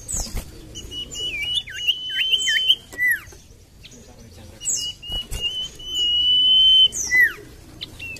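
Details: Common iora song meant to coax silent birds: rapid bouncing looped whistles, then a long drawn-out steady whistle finishing with a steep downward note. Quiet thin chirping comes in between phrases.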